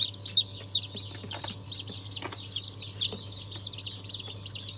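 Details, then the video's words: Close, loud peeping of newly hatched chicks from breeds including Ayam Cemani, Cochin and İspenç, 22 January 2023; distinct shrill downslurred cheeps, several per second, over a faint low drone. "Yeni Civciv Çıkımı"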